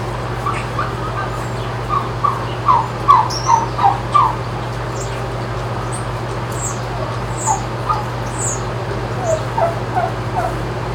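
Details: Rescued turkeys in a barn at a farm sanctuary in Upstate New York, at dawn on 19 July 2018, caught by a live barn camera. Short, clipped yelping notes come in loose bursts, with high chirps of small birds and a steady low hum.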